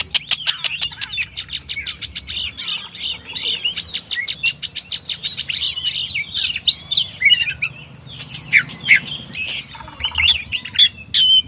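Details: Oriental magpie-robin (kacer) singing a dense run of rapid clicking, buzzy notes, then whistled slurs and a bright sustained high note near the end.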